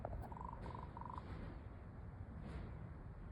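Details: A raven perched in a nearby tree in the afternoon gives a quick run of clipped, knocking clicks in the first second or so, grouped in short bursts, followed by quiet with a low background rumble.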